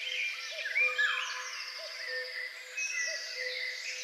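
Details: Common cuckoo in a Polish spring setting: a low, two-note call repeats roughly every second and a half beneath a dense, high chorus of other songbirds.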